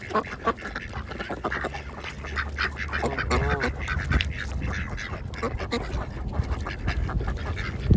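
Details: Several ducks of mixed kinds feeding together at a pond at lunchtime, giving overlapping nasal quacks and chatter throughout, with a steady low rumble beneath and splashing or dabbling noises.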